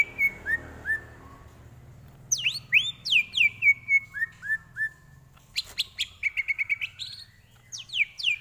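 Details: Tutor song of a greater green leafbird for training: soft falling whistles, then a run of loud rising-and-falling whistled notes, a pause, and another rapid burst of sharp chirps.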